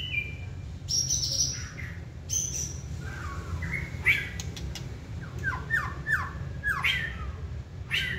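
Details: Caged white-rumped shama that fans its tail and sings when excited: high thin whistles, then a run of quick, downward-slurred whistled notes with scattered clicks.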